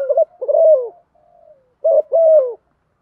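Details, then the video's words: A female spotted dove calling to set males cooing: a mellow, slightly falling croo, a faint trailing tone, then a short coo and another long croo. "chim cu mai kich trong/ tiéng chim cu mái gáy gọi kích trống gáy theo"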